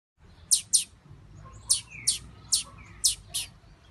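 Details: Female blue-black grassquit ready to breed, giving sharp, very high chirps, mostly in quick pairs, seven notes in all, with one soft falling slurred whistle in the middle.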